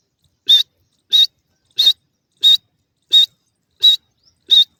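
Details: Francolin (irani teetar) perched on its cage, calling out to other birds with a steady series of loud, piercing, high-pitched notes, seven in under five seconds, evenly spaced about 0.7 seconds apart, with silence between.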